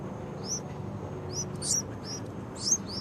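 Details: Two baby Yellow-vented Bulbuls giving loud high squeaky chirps, short downslurred notes in irregular bursts, with a faint low background hum.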